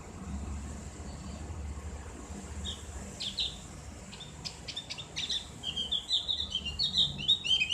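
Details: Javan white-eye giving ngriwik, used for tutoring: scattered high chirps building into a rapid trilling twitter toward the end, with a constant low rumble of traffic.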